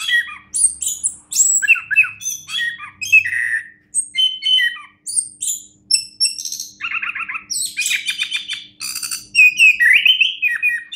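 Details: Orange-headed thrush, a champion songster, runs through a busy medley of chirps, whistles and a low buzzy rattle midway, phrases following each other about four per second.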